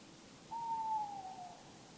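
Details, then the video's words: Tawny owl in the night near Bergen, the Netherlands, on August 10, drawing nearer from a distance. One clear, hollow hoot of about a second that sags gently in pitch toward its end, with faint steady hiss behind. "Nachtelijke Roep Bosuil"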